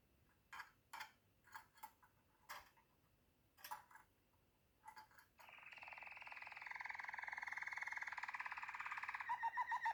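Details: Waterslager canary with several sharp clicks and short chips, then a sustained, fast rolling trill that grows steadily louder and ends in a few distinct pulsing notes.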